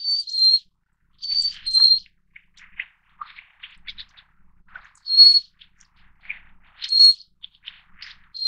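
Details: Little Forktail, endemic Taiwan subspecies living by mountain brooks at 600 to 2,400 metres, calling in thin high whistles, some doubled with a slight drop, amid quieter chips and twitters.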